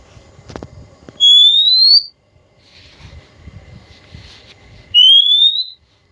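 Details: Wild Oriental magpie-robin (kacer) recorded in nature; two clear, pure whistles rising smoothly in pitch, each about a second long and several seconds apart, over faint rustling background noise.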